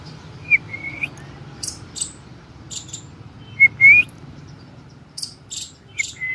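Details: Pet cockatiel kept at home, giving short whistled calls that rise and bend, with a pair near the start, at about three and a half seconds and at six seconds, mixed with sharp high clicks and faint background hum.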